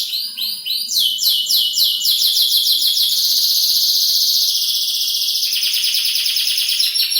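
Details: Canary in a cage delivering a loud, continuous rolling trill of rapid high notes, steady rhythm with slight shifts in pitch throughout.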